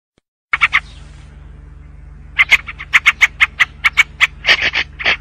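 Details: White-spectacled bulbul, also called Syrian or yellow-vented bulbul: a short burst of harsh notes, a pause, then a run of quick, sharp, chattering notes about every quarter second with a few rougher bursts at the end, over a low steady hum.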